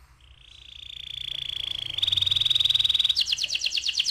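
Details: Canary lure song meant to trigger rolling; a level high tone swelling in loudness, then rapid pulsed trills that shift higher into a quicker, coarser roll.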